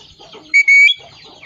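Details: A talking parrot gives a clear, steady whistle in two bursts, a brief note then a longer flat one ending in a small upward flick, with faint bird chatter before and after.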